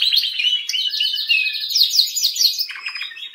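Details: Canary singing quick high chirps and sliding notes, then a short, fast lower trill at the end.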